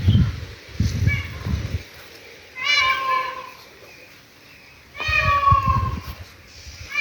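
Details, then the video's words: Indian peafowl calling near a farm house and bungalow in the Nara desert: two loud, drawn-out nasal wailing calls about two and a half seconds apart. A man speaks at the start, with rustling in between. "ये मोर की आवाज़ आ रही है मुझे, आए आपको मोर दिखाते हैं।"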